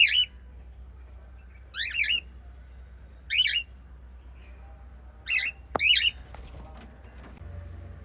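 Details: Family of five little cockatiels give short, harsh chirps in bursts about every one to two seconds.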